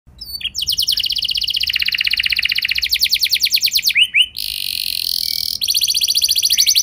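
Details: Canary lure song meant to provoke other canaries into long rolling song: dense rapid trills in long rolls, a brief break near four seconds, then a steady high buzzing roll and another fast trill.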